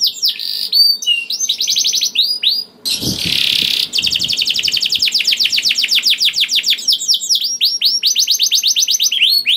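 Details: {'caption': 'Song of a canary played to get other canaries to sing: quick trills, then a brief harsh rasping noise, then a long rapid trill of repeated clipped notes and sweeping whistles.'}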